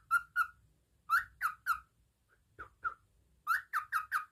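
A cockatiel gives short, bright chirping whistles in quick bursts of two to four notes.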